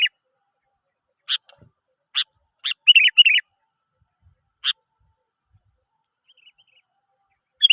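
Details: Sooty-headed bulbul used to prompt other birds to sing: scattered short bright chirps and a brief run of bubbly whistled notes, separated by silent gaps of about a second.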